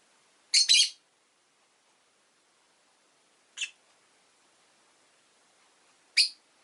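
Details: Rough double-burst chirp from a rosy-faced lovebird, then a short squeak and another harsh chirp several seconds later, separated by silence.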